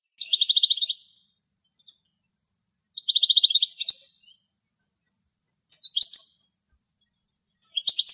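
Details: High, rapid trilled phrases of a wild European goldfinch, a female foraging at a spider web in Greece, separated by silent gaps of about two seconds, with later phrases turning into sharper, scratchy twitters.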